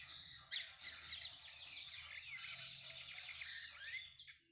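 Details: Lined Seedeater, brown-plumaged, warming up: after a brief quiet start, a rapid, unbroken run of high twittering notes with quick up-and-down sweeps, ending abruptly near the close.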